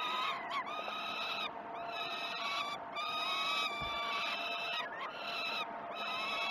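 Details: Peregrine falcon chicks at Great Spirit Bluff begging at a 06:20 feed on 12 June 2018, recorded by a live nest camera: loud, scratchy, harmonic wails in bursts of one to two seconds, with brief dips and overlapping callers.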